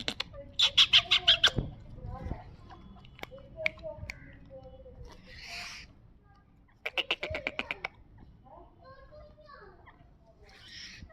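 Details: Black francolin (kala teetar), Sindhi breed, calling in two bursts of rapid, harsh, grating notes about a second long, several seconds apart, with faint softer sounds in between.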